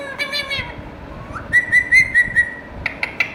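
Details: Indian ringneck parakeet giving a short nasal phrase, then a held whistled tone broken into four or five pulsing beats, followed by a few sharp high chips.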